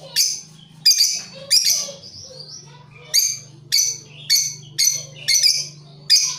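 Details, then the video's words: Repeated harsh, high lovebird calls, around ninety a minute, as birds answer one another in long chattering meant to lure others; a constant low hum runs behind. "Buat Pancingan lovebirt cocok Saling nyaut dan ngekek panjang"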